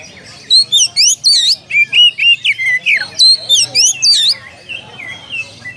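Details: Calling a rival, an Oriental magpie-robin pours out rapid whistled notes, steep upward and downward slurs mixed with flat whistles, about four per second before fading at the end.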